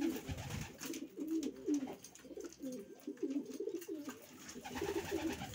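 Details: Racing pigeons produce soft gurgling coos in rapid rolling phrases, with faint rustling and background shuffling.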